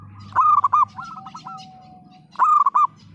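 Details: Local zebra dove singing steadily in the split-voice 'pecah' style, meant to prompt quiet or reluctant birds to sing: two short phrases of fast, bubbling coos over a faint low steady hum.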